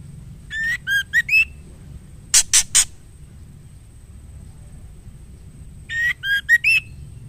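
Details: A female white-rumped shama calls to the male. A short run of rising whistled notes is followed by three harsh rasping bursts, and then the whistled run repeats after a pause. A low background hum is present throughout.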